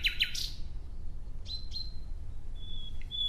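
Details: Nightingale song outdoors: a few sharp descending chips, then soft separate notes and a long pure, level whistle held near the end, over a quiet low hum.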